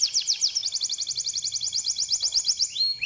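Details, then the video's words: Canary singing, played to stimulate other canaries to sing: a fast, steady rattling trill of short high notes repeated about four per second, shifting into a quicker buzzy run, ending with a rising whistled note. "Long duration canaries to practice canary sounds"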